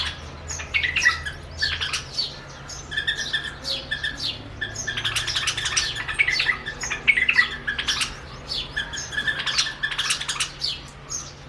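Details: A pair of White-eared Bulbuls in Rajasthan on a window sill sing against their mirror reflection, treating it as a rival. They give fast, chattering bursts of harsh squawks mixed with short bubbly whistles, repeated almost nonstop in a small indoor room.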